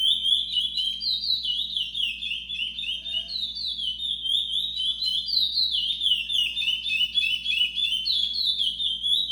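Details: Chestnut-bellied seed finch, a brown curió, singing indoors: a fast, continuous run of high whistled and slurred notes, many sliding downward, with buzzy trills woven between them and steady low hum underneath.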